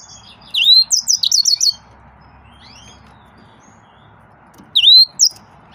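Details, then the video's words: Yellow-fronted canary, also called green singer, giving two short bursts of song: high sweeping whistles and fast buzzy trills near the start, a pause, then another brief whistled phrase. "Green Singer Bird Finches"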